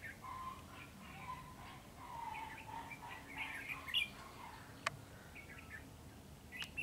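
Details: Red-whiskered bulbul, said to fan its wings butterfly-style, giving a run of mellow whistled notes mixed with higher chirps, with two sharp clicks partway through against low background noise.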